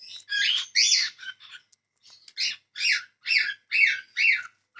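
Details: Cockatiels squawking: a harsh, scratchy call repeated roughly every half second in a steady series, after a few rougher, irregular notes.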